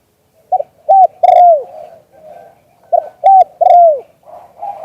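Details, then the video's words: Spotted dove giving liu tan style coos, recorded live: a quick coo, a flat coo, then a long falling coo, the phrase heard twice with quiet rolling murmurs after. "เสียงนกเขามงคล หลิ่วตัน"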